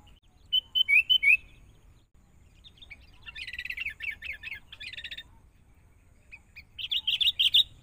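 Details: Wild-caught sooty-headed bulbul under training with a lure bird: a few clean whistles, a dense chattering phrase, then a closing run of bright warbled notes.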